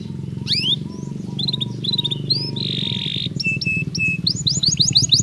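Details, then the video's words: Canary singing naturally, offered to ready birds for the mating season: scattered high whistled notes and short upward sweeps, a brief buzzy burst, then quick sharp trills, over a steady low hum. "تغريد كناري طبيعي"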